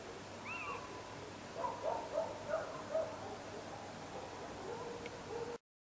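Little owl giving a run of short, mewing yelps near one pitch, about three a second, after a higher arched note, over a soft background hiss.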